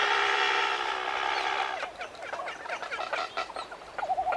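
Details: Red-footed booby giving coarse croaking calls at medium-close range, sometimes loud: a harsh, drawn-out harmonic croak lasting almost two seconds, then a string of shorter rasping notes, closing with a brief wavering warbled note.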